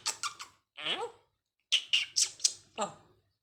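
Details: Pet parrot talking indoors in a cheerful greeting: several short, hissy, speech-like syllables and a gliding voiced word, a pause, then a quick string of five crisp syllables.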